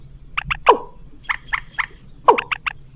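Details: Lure call for rails mixed with watercock: quick groups of two or three nasal notes surrounding two strong downward-sliding calls.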